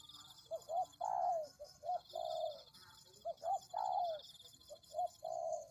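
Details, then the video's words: Lure recording of a spotted dove: soft clipped notes leading into a long sliding coo that drops at the end, three phrases in a row, with constant thin high buzzing behind. "Pikat Tekukur"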